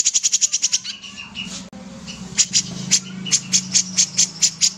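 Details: Common iora singing a rapid series of high, clipped notes, then a pause and a slower run of evenly spaced sharp chips over a continuous low background hum.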